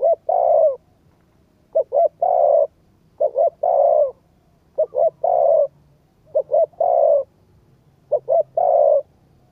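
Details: Cooing of a spotted dove meant to rouse a decoy bird: low, rough phrases of two quick notes and a sustained coo, repeated five times at roughly two-second intervals against quiet background.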